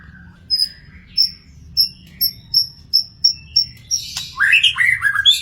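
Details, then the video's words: Wild magpie-robin repeating a thin, high whistled note about twice a second, then bursting into a quick jumble of scratchy, warbled phrases, with faint low hum behind. "burung murai di alam liar"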